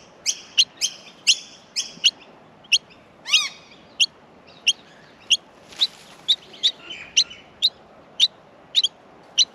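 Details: Nestling Australian miners in the nest begging while being fed: sharp high chirps repeated about twice a second, with one louder rising squeal midway.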